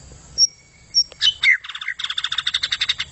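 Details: White-rumped shama singing gacor style: two thin high whistles, then a few sharp slurred notes, ending in a fast, even, rattling run of rapid repeated chips.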